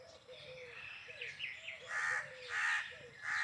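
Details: Peacock calling: three loud, harsh, ringing calls in the second half, repeated about every 0.7 seconds, over softer chirps and calls from other birds in the background.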